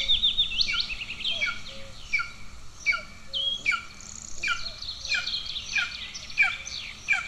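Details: Golden eagle nestlings in Estonia, 2 June 2024, starving and fighting between siblings, beg with high, sharply falling squeals repeated rapidly and overlapping, roughly ten in seven seconds, with faint lower notes beneath.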